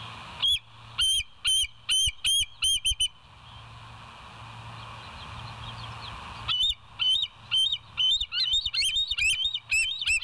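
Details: West End bald eagles, wild pair on a nature cam, 26 September 2023 around 7 a.m.: shrill repeated piping notes, a faint distant chatter during a lull, then an excited, faster run of squealing, warbling notes.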